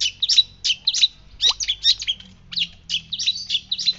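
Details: A white-breasted shrike (pentet laut dada putih) sings a fast, scratchy medley of high chattering and squeaky notes in quick bursts, with a brief downward whistle partway through.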